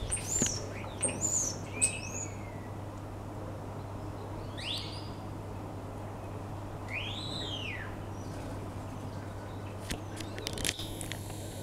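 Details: Common starling singing in a back garden on 2 February 2015: a loose medley of slurred falling whistles, high squeaky notes, an arched whistle and scattered clicks over a steady low hum.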